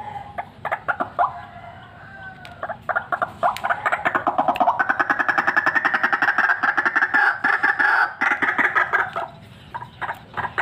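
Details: White-breasted waterhen, a vocal fighter bird said to be ready for luring, giving loud harsh croaking notes that start scattered, then run fast and steady at about three to four per second through the middle before breaking off.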